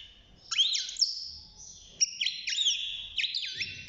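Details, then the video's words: Six-month-old European goldfinch in a cage, starting to sing, delivers bright slurred whistles and short buzzy notes in two or three quick bursts separated by brief gaps. "الحسون بعد مرور ستة شهور أصبح يغرد"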